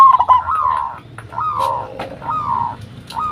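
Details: Lure call of a local zebra dove, used to make other doves answer: slurred mid-pitched coos, each falling slightly, in rhythmic phrases about once a second, with a few clicks and low background noise.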